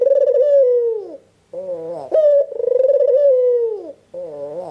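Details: Red-eyed albino Barbary dove calling to get other doves to respond, delivering two long vibrating coos that glide downward, each followed by a quavering note and a quick upward slide.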